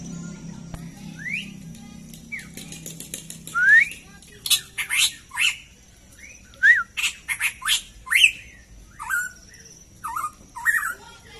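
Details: Cucak emas, or black-crested bulbul, kept by hobby breeders: scattered clear whistled upslurs among harsh broadband clicks and rattles, the notes coming in quick clusters after a quieter start with low background hum.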